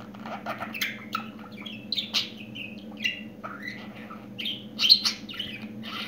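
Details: Newly talking budgerigar producing a continuous run of short chirps, squeaks and rising and falling whistled notes in quick succession, with a constant low hum in the room.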